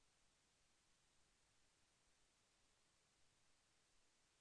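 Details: Near silence with only a very low, even background hiss and no animal sound.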